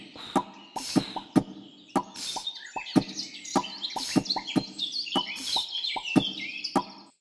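A Eurasian blackcap gives a rich, fast warble of high, varied notes, broken by loud, sharp plopping clicks about every half second.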